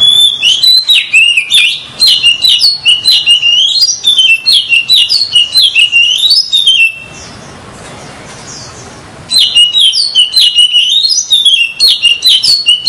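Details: Oriental magpie-robin song used as a lure for trapping: loud, varied whistled phrases with rapid chirps and slurred notes, delivered nearly nonstop, broken by a quiet pause of about two seconds before the singing resumes.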